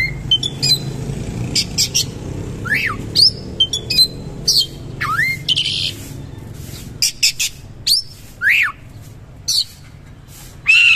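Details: Oriental magpie-robin in energetic rough-style song with rich fill: sharp clicks and chips mixed with loud, swooping, V-shaped whistles and bright upward slurs, spaced irregularly, over faint low hum.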